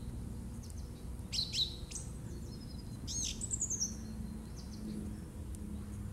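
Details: Song thrush singing in March 2018: a few short, high, clear phrases, a quick doubled note, then a squeaky descending run, over a steady low rumble.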